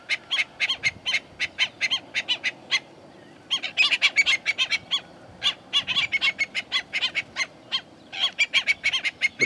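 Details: Southern lapwings give loud, harsh, rapidly repeated strident notes during a fight with black-necked stilts at a lagoon in Paramirim, in warming sun.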